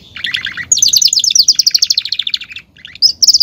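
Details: Belgian canary song in the campainha style: a short warbled phrase, then a long run of quick, evenly repeated high notes, a brief pause and a sharp high trill.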